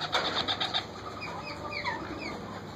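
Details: Hungry wild parakeet chicks beg while their mother feeds them, a rapid run of harsh, rhythmic chirps and then a few short, high, downslurred squeaks over a low background hiss; finding: Parakeet.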